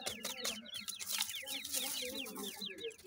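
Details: Grey francolin chicks in captivity peep in regular high falling notes against a hissy, noisy background. Low purring notes run beneath them.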